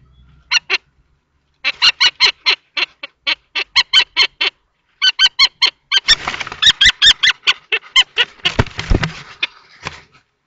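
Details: Common kestrels at a nest box in Théding, 20 March 2024: a young male in juvenile plumage and an older adult male fight over the box. Harsh, rasping notes come in short irregular bursts, with scuffling noise near the end.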